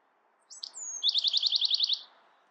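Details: One song of a Bewick's wren: a couple of sharp high notes, a long thin descending whistle, then a quick run of about nine ringing, buzzy pulses.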